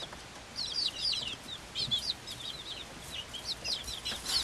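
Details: Several Swedish Flower Hen chicks, five weeks old and hatched 26 February 2022, with a Silkie chick of equal age, produce bursts of high, wavering, twittering peeps in quick runs, separated by brief pauses, over faint background rustle.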